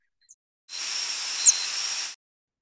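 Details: Northern parula (Setophaga americana) flight call: one very short, high, thin, whistly note that descends smoothly and abruptly with no initial rise, against a steady broad hiss of background noise.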